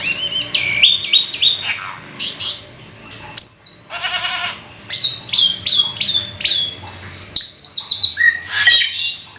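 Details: Black-winged starling, rare and exotic, delivering busy 'gacor full isian' song rich in imitations: varied squawks, a falling whistle, a harsh buzzy rattle, then many quick whistled and squeaky notes.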